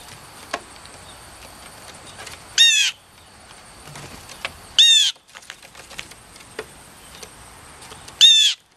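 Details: Blue jays at lunchtime, described as getting cheeky, give three loud, harsh, raspy calls spaced two to three seconds apart, with faint clicks and taps in the quiet background.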